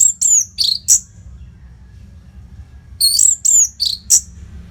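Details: Orange-headed thrush song played to train competition birds: two phrases of rapid, high, descending whistled notes, each of four to five notes, with a quiet gap of nearly two seconds between them.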